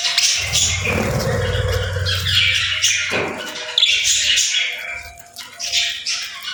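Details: Playful birds twittering and squawking: scratchy chatter mixed with thin whistled notes, over a low droning hum during the first three seconds, thinning out toward the end.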